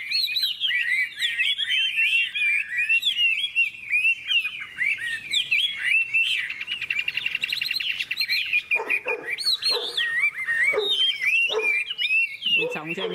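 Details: ['Hwamei contest singing among three caged birds with no playback device: a dense stream of bright, rapidly modulated whistles and trills, nearly unbroken for thirteen seconds, with harsher scratchy notes appearing toward the end.']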